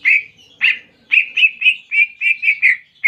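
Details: Greater green leafbird in canary-imitating song. Bright chirped notes come one by one at first, then quicken into an even string of about nine short, rounded whistles.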